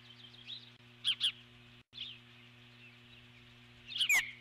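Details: Eagle on its nest giving alert calls as a large intruding bird, eagle or osprey, flies past, 12 July 2014; sharp, high paired chirps with a thin downslurred whistle near the end over a steady electrical hum.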